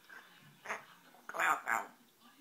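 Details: Pet African grey parrot indoors in a small room, talking while asking to come out: a few short speech-like phrases with rising and falling voiced syllables, bunched near the end, with quiet pauses between.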